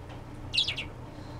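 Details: Pet parakeet chirping happily indoors after hearing a phone go off: one short, bright, high chirp, a quick double twitter lasting under half a second, over a low steady background hum.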